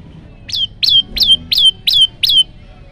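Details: Olive-backed tailorbird singing the 'tembakan' style used to train and lure birds: six loud, piercing notes, each a quick drop settling into a brief flat whistle, repeated at steady intervals, with low background rumble.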